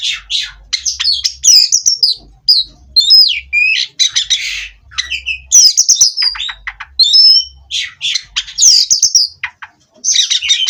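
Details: Bred, caged Oriental magpie-robin singing for perch-steadying therapy: long varied song of piercing whistles, scratchy trills and sharp downslurred notes, delivered in bursts with brief gaps, soft low hum in the background.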